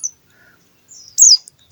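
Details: A captive-bred 25-day-old Bar-winged Prinia chick gives its first begging "riwik" calls, possibly hunger calls: thin, very high chirps, then a brief buzzy twitter sliding downward; a soft low thump closes the clip.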